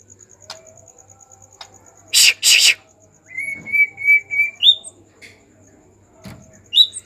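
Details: Agitated white-rumped shama, heard as a lure to make other shamas sing: two harsh rasping bursts, then a steady string of short level whistles ending in a quick upward-sliding note, with faint clicks around.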